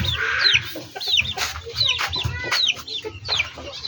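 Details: Hens and roosters in backyard poultry farming: bright, falling peeps repeat irregularly about every half second, and a low thudding background murmur runs throughout.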